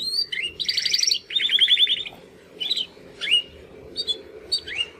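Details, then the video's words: Two young Timbrado canary brothers, caged males born in the second 2020 breeding, practising song after their first molt; rapid pulsed rolling trills followed by scattered short rising chirps, over a faint steady low hum. "Canary training song"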